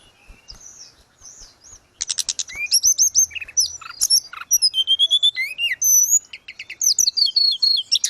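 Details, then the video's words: Tledekan gunung, or grey-cheeked bulbul, heard as cage-bird training audio: soft opening whistles, then a burst of dense high chirping, twisting whistled phrases and sharp clicks continuing steadily. "Terapi tledekan gunung _gacor"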